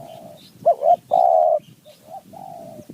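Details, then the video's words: Spotted dove in the wild, lured by a decoy in mountain forest: a soft coo, then a quick double note and one long loud buzzy coo, followed by fainter replying coos. "นกป่าคารม โยน 4 3 2 1 กุก เรียก 1 2 กุก"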